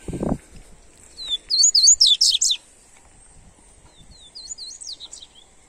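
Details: Coleiro, the double-collared seedeater, in warm-up song for a kept bird: after a brief low thump, a loud burst of rapid, sweeping high notes runs over a second, followed by a softer, shorter repeat of similar twittering phrases.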